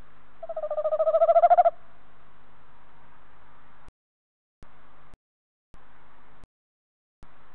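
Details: A male Tawny Owl calling close to the nest box on 21 February 2015 gives one drawn-out, wavering hoot that swells and rises slightly over just over a second; faint hum with brief dropouts follows.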